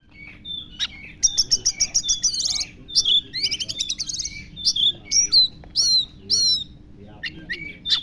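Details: Oriental magpie-robin singing lovebird-style imitations: rapid runs of high buzzy chirps, then clear whistled slurs and downward-sweeping notes, loosely repeated, with a steady low hum in the background.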